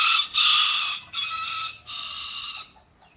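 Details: Rooster crowing in its natural habitat: a loud, harsh, strained cock-a-doodle-doo in three drawn-out segments, the last one long and held before fading away, with nothing else heard.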